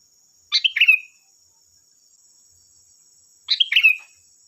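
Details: Sooty-headed bulbul singing energetically to draw answers from other bulbuls: two identical chirpy phrases about three seconds apart, each a quick rattle of notes sliding down into a brief whistled tail, with a thin high hum.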